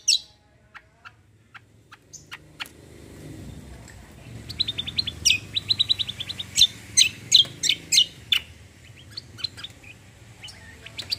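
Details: Cucak kombo, also called kecial kombo, singing in tembak style: scattered faint high ticks build into a fast series of loud, sharp, evenly spaced chirps over soft background hum.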